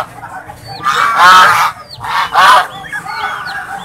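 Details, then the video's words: Swan calling with two loud, harsh, nasal honks, each about half a second long and rich in overtones, about a second apart, with softer squeaky notes from other birds in the background. "Suara Angsa No Copyright ||The Sound of SWAN"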